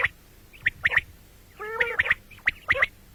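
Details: Common quail, morning and night: sharp clipped notes in quick pairs, broken by one short, harsh, rattling burst in the middle.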